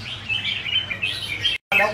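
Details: Red-whiskered bulbul singing a run of bright, rapid chirps and short warbled notes, high-pitched and jumbled with no steady rhythm, broken by a brief gap near the end.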